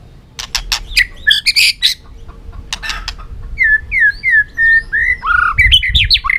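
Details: A fired-up white-rumped shama, beating and running about its cage floor, gives a dueling song to provoke rival birds. Sharp broadband clicks and knocks come first, then a string of loud, sweet, swooping whistled notes follows in quick succession.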